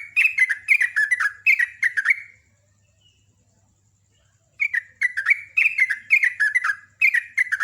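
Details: Sooty-headed bulbul, a contest songbird, singing strong fast bubbling phrases of descending whistled notes, roughly two per second, with a two-second silence midway before the rapid phrases resume; faint low hum throughout.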